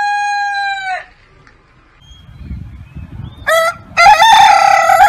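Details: A cockerel's crow ends in a long, level, bright note that drops off sharply. A stretch of low rumbling background follows, then a short rasping burst and the start of another loud, strained crow.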